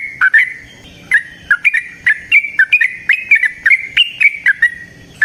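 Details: Lively yellow-vented bulbul in a long rapid 'ropel panjang' song meant to lure other bulbuls into singing: a dense run of clipped, bright whistled chirps, rising and falling slightly and repeated steadily.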